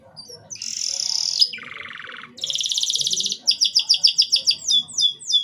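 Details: Canary song played to stimulate young canaries to sing quickly, with other canaries said to respond at once: a short, broken phrase of high chirps, a bright buzzy trill, a lower rolling trill, another buzzy roll, then repeated sharp down-slurred notes.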